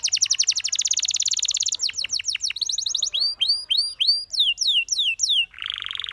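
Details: Canary practising a training song. A long, rapid, even trill gives way to faster slurred notes, then spaced arched whistles and falling sweeps, ending in a low, harsh, buzzy roll.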